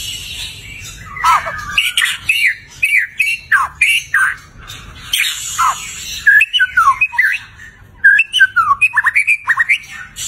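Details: White-rumped shama in full gacor song with rich fill-in phrases: a fast, varied string of sharp chirps, swooping whistles and slurred notes in short bursts, pausing briefly before another quick run of bright trilled notes.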